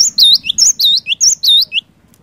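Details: Cinereous tit singing actively, used to provoke silent birds into song: fast repeated three-note phrases, a thin high whistle, a bright U-shaped swoop, then a lower downslurred note, about six rounds within two seconds before stopping.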